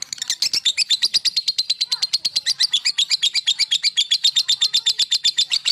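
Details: Male lovebird song meant to excite opponents: a rapid, regular chatter of high squeaky notes, about four a second, held without a break.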